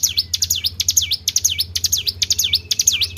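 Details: Tribel bird lure call with clustered high ticks and swooping V-shaped whistles, slightly uneven in spacing, about twice per second, over a steady low hum.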